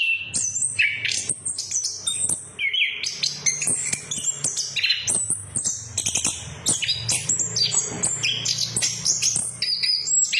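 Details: Lure song of an orange-headed thrush, in a 'ngeplong' and 'ngeriwik' style, for birds that no longer sing: dense high twittering and whistled notes running almost nonstop, with a faint low hum underneath.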